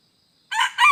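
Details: Brief fragment of a red junglefowl crow at a lure-trapping site, 2 November 2021: after silence, two harsh, buzzy bursts begin abruptly and are cut off mid-call, with a faint steady insect tone beneath.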